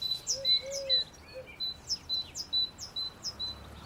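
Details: Great tit song in a garden in spring: thin, high two-part notes, a sharp downslurred stroke then a steady pip, repeated briskly about twice a second; softer low whistles from another bird open it.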